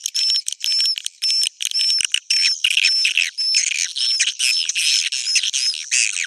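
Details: Roosting call (suara inap) of the edible-nest swiftlet, played to attract birds: choppy bursts of buzzy, high chirps, each topped by a thin arched whistle, repeated in quick succession.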